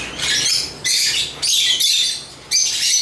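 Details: Agapornis lovebirds give dense, shrill chattering in four or five loud blocks, each about half a second long, high and rasping with brief quiet gaps.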